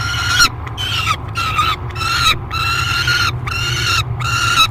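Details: Peregrine falcon behaving aggressively at feeding time in the Great Spirit Bluff nest box, July 3, 2021; grating, harmonic screams about half a second long, separated by short silences, with a steady low background hum.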